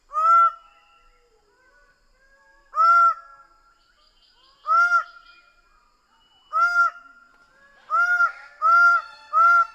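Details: Greater bird-of-paradise repeatedly giving loud, harsh, nasal honks, spaced widely at first and then accelerating into a quick run of notes near the end, other faint calls in the background.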